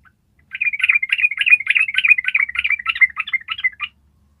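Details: Yellow-vented bulbul giving a long ropel, a sustained rapid trill of bubbly chattering notes lasting about three and a half seconds without a break, used as a tutor recording for training other birds to copy it.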